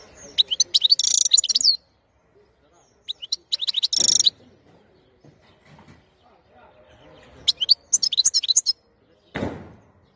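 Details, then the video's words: Khlawi (wild-type) European goldfinch from 2021 delivering three quick bursts of bright, high-pitched twittering and chirps. Quiet gaps separate the phrases, and one loud thud-like noise comes near the end. "تغريد الحسون خلوي"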